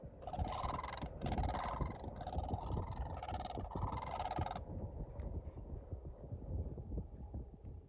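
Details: Blue cranes calling near Colesberg, South Africa: harsh, rasping calls in a run of bursts for about four seconds, then silence, over a steady low wind rumble.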